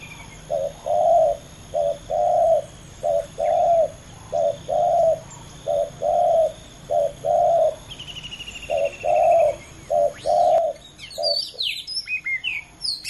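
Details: Spotted dove, two competing males cooing in a long steady run of short-then-long low notes, a high trill in the background, and sharp high chirping of other birds at the end.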